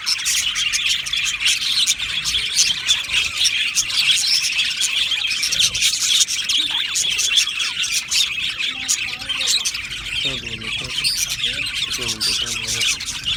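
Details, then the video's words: Colony of Australian budgies in an aviary, steady shrill twittering and squawks throughout, with lower harmonic calls appearing near the end. "Beautiful Happy Budgie singing and chirping sounds"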